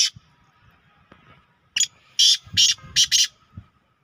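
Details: Two captive Black Francolins, one wearing an orange leg ring, recorded in the evening on 24 June 2023. The call is a loud, harsh, rasping phrase of about five grating notes in quick succession, following a short earlier burst, over a quiet background.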